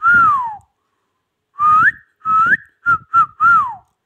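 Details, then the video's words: A ringneck parakeet whistling six clear tonal notes. A long falling slur comes first, then after a pause a run of rising and short level notes in quick succession, in a quiet room. "amazing ringneck |talking sweet| parrot"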